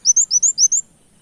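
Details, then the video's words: Short burst from a brown-throated sunbird imitating a canary, recorded to lure birds: six quick, high rising chirps in under a second, then silence. "Suara Kolibri wulung gacor tembak kenarian"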